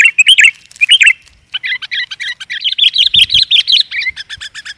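Sooty-headed Bulbul giving bright, bubbly chirping phrases around mid-high pitch, repeated rapidly in quick bursts with short pauses; no other sounds stand out.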